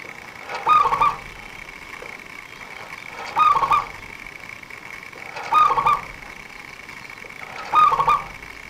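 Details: Fast, energetic local zebra dove singing, a song used by bird trappers as a lure. Four rolling, stuttered coo phrases come at steady intervals of about two and a half seconds, with a steady background hum.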